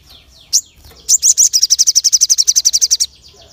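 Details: Crested jay calling sharply, used to provoke other birds: a single sharp note, then a rapid even series of about twenty harsh high chips delivered in under two seconds, with faint background chirping.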